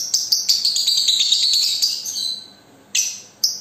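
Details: Young single-fighter lovebird used as a lure call: fast, sharp high chirps in a dense chattering run for two seconds, then a pause and two short harsh bursts.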